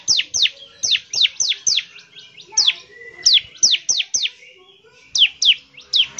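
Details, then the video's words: Bar-winged prinia in strong song, played to rouse other birds to sing: steady series of sharp down-slurred high chirps, in pairs and triplets, with soft faint notes between them. "CIBLEK GACOR, NEMBAK NGEBREN UNTUK MEMANGGIL CIBLEK CEPAT BUNYI GACOR"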